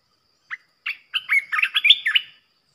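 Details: Provoking decoy song of a fierce red-whiskered bulbul. Two separate short notes are followed by a fast, lilting series of about ten bright whistled syllables, with nothing else audible.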